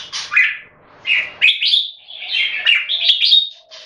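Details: Singapore-kept red-whiskered bulbuls competing in song: short bursts of bright, slurred whistled notes separated by brief gaps, building into a run of quick, sweet warbling phrases.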